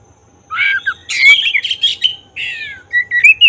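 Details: Song of a black-breasted oriental magpie-robin, played to stir emotion and make the bird open its tail: after a short pause come buzzy, harsh chattering bursts, then slurred whistles and quick upward-inflected notes.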